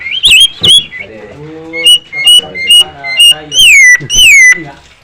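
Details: Nias hill myna in vigorous song, kept as master audio to stimulate other birds: loud bright whistles, some rising then falling, repeated about every half second between harsher, throaty notes.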